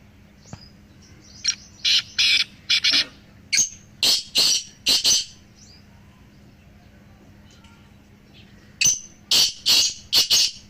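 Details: Black francolins, three together, giving calls played to strengthen a pet francolin's voice. Repeated phrases of rough, grating notes, about four to five per phrase, separated by short pauses, with a longer silence before the final phrase; soft hum underneath.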